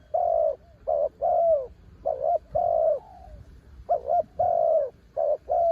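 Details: ต่อกิ่ง song of a spotted dove described as a mountain bird: full, hollow coos in groups, a long drawn note with a trailing fall, a short gap, then further doubled and extended coos.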